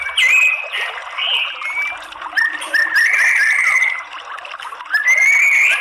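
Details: Varied whistling of a white-rumped shama played as a lure to rouse rival males: upward-sweeping notes, a long drawn whistle near the middle, then another rising phrase, over continuous background rustle.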